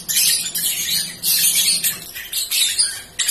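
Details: Young caged prospect bird (balibu) singing in a rambling, jumbled style: rapid, high, scratchy chattering bursts in quick succession, broken by brief pauses, with a faint low hum underneath.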